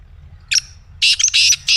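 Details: Black francolin, used to prompt a pet francolin to call: one sharp squeaky note followed by a rapid, loud run of grating, buzzy notes with brief gaps.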